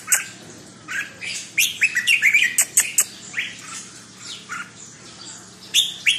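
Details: Red-whiskered bulbul kept as a cage bird, giving scattered short whistled and warbled phrases, some rising and some dropping, separated by quiet gaps of about a second, with faint high chips between them.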